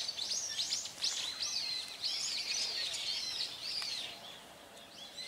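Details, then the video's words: Shrill Brown-eared Bulbul calls from Hourai Park in Ōta City, Tokyo: rapid, overlapping high notes, each swooping up and down, tumbling in a busy chatter that fades toward the end over a hissy urban park background. "ヒヨドリHypsipetes amaurotis↩Most bird calls are this bird"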